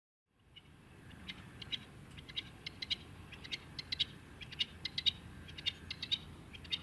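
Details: A male rock partridge in the Rhaetian Alps gives short, sharp, high chipping notes, roughly one a second at an uneven pace, over a low rumble of wind.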